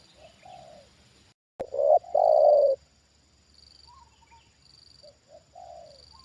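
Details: Trained spotted dove reacting to a wild bird lured down for the second time: soft coo, a brief gap, then a loud close phrase of two notes and a long falling coo, followed by quieter distant coos.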